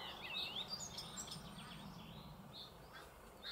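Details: An Icterine warbler sings in a small wood in the Alblasserwaard, Netherlands: a quick, varied jumble of high chirps, whistles and squeaky notes, loudest in the first second, then trailing off over a low background hum.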